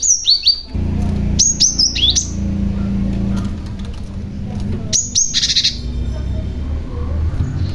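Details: Young Cinereous tit calling to attract answering tits; quick high descending chirps in short clusters at the start and middle, over a continuous low droning hum.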